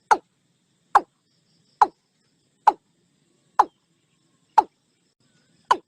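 A Watercock gives short, hollow knocking notes, seven in a steady series about one per second, against a quiet background.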